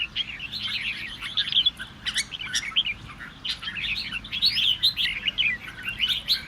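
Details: Red-whiskered bulbul song intended to draw other birds into singing: steady, twittering warbles that build toward loud, overlapping chirpy phrases in the second half, with scattered clicks.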